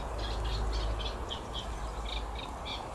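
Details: Eurasian reed warbler singing from a Buddleia bush in Wakeham, possibly a late arrival or an early leaver: a run of short chattering notes, about three a second, pitched fairly high, over a steady low rumble.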